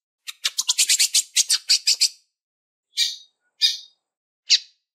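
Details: Female lined seedeater calling to stimulate males: a rapid high chattering series of about fifteen notes for two seconds, then three separate buzzy calls spaced about a second apart.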